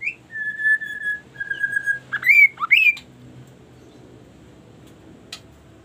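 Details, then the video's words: Kaso kaso bird singing varied phrases that get other birds singing: a short high note, two long steady whistles, then two loud rising swoops, followed by near quiet with one faint click. "banyak fariasi suara burung kaso kaso cocok membuat yg lain ikutan bersuara"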